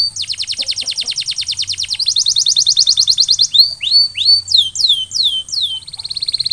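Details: Canary trigger song for stimulating other canaries: rapid rolling trill of repeated notes, a denser buzzy roll, then a run of loud falling whistled slurs ending in a steady high trill.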